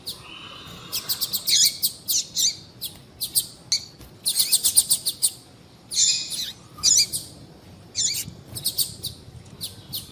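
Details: High-pitched chirping of a female double-collared seedeater, used to stimulate males: quick runs of thin notes alternating with brief gaps, steady throughout.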